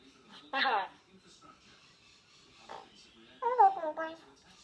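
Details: A male pet bird singing into his bowl gives three bursts of harmonic, speech-like chatter, the last a wavering run of notes, in a quiet indoor room.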